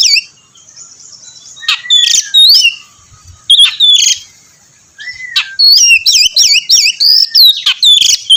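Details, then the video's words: Oriental magpie-robin singing loudly to prompt another bird to sing: clear whistled phrases, rising and falling notes with sharp upward sweeps, delivered in quick bursts separated by short pauses, ending in a rapid run of repeated chirps. "kacer gacor mancing kacer lain ikut bunyi"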